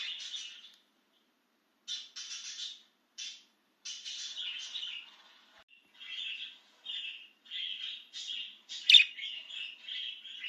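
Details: Excited pet budgerigar outside its cage, warbling in a long series of short buzzy, scratchy phrases repeated with brief gaps, one sharp click near the end.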